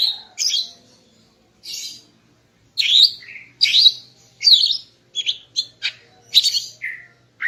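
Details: Morning song of a female greater green leafbird, meant to stir the male into breeding condition: scattered high chirps and sweet whistled notes, some falling, delivered irregularly about once a second with short silences between.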